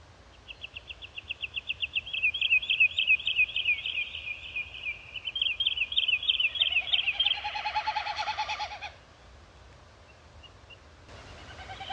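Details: Wilson's snipe giving a fast run of high, clipped notes that speeds into a chattering series, then shifts to a hollow, throbbing tremolo before fading, with faint steady background noise throughout.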